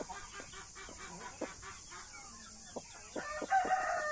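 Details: Blue mother hen tending Australorp and Brahma chicks, soft clucks and quick scratchy notes at an uneven pace, ending in a louder, drawn-out harmonic call near the close; faint chick peeps and steady hiss behind.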